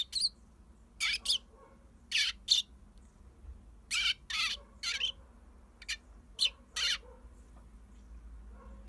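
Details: Eurasian tree sparrow kept as a pet, set out by the front door to sunbathe while a dog barks a lot nearby; short, sharp, high chirps in spaced pairs and singles, with quiet gaps and a low background hum.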